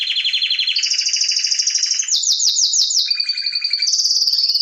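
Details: Canary song made of long rolling trills, first low then higher, a short run of five sweeping slurred notes, then steady bright trills at changing pitches, loud and continuous.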